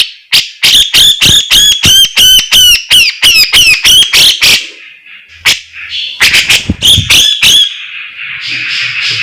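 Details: Master recording of a Javan sooty-headed bulbul (cucak jenggot) singing: rapid, regular harsh rattling notes with rising whistled tops, a pause, then a second burst and a fading noisy tail.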